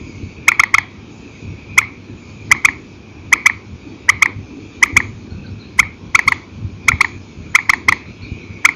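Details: Purple swamphen at night from an old recording, single and paired calls: sharp, clicking notes repeated in pairs or threes at uneven gaps, with a steady low hum underneath.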